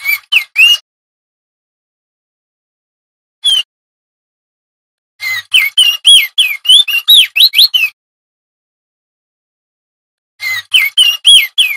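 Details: Loud 'ngerol' song of a male crested darkeye, used to tutor magpie-robins and flycatchers: short bursts of three notes and a lone note, then a rapid run of about a dozen twisting whistled notes, and later another quick burst, with silent gaps between.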